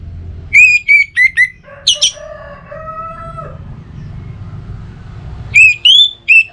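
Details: Lure recording of orange-headed thrush song meant to prompt a caged bird at home to sing: bursts of bright whistled notes, short slurs and a rising whistle, with a lower harmonic crow-like sound between the bursts.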